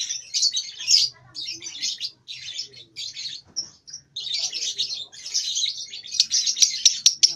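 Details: Young lovebird about two months old, learning its chattering song, still only in short bursts: dense, harsh, high chattering phrases broken by brief pauses, growing more continuous toward the end.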